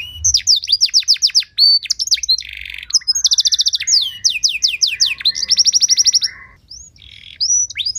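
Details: Canary song with ornate phrasing, used to stimulate other canaries: rapid repeated descending notes, buzzy rattles, steady whistled tones and fast rolling trills changing every second or so.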